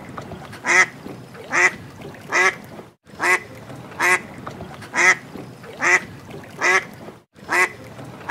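A duck gives loud, nasal quacks, one roughly every second in a steady series.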